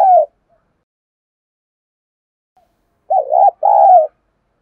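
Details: Spotted dove used as a decoy, calling to draw wild doves into a fight: the tail of one coo, a long pause, then a wavering short note followed by a drawn-out mellow coo.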